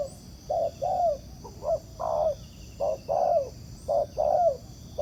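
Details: Wild spotted dove cooing in reply to a ground decoy during trapping. Low mellow coos in paired phrases, a short note then a longer falling one, about four phrases in five seconds. A steady high insect-like hum runs behind.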